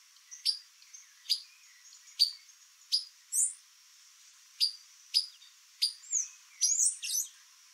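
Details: Female white-lined tanager visiting a yard in Brazil, with sayaca and palm tanagers also present: short sharp high chips repeated at irregular intervals of about a second, then a burst of overlapping twittering notes near the end.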